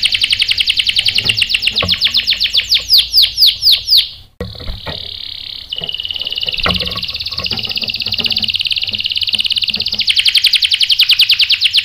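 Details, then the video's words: Canary song meant to make males sing: rapid high chirps turning into looped falling whistles, a short gap, then a long buzzy roll ending in a fast trill, with faint background clatter. "PANCINGAN KENARI GACOR bikin EMOSI jadi NYAUT NGEROL TAJAM | CANARY SINGING"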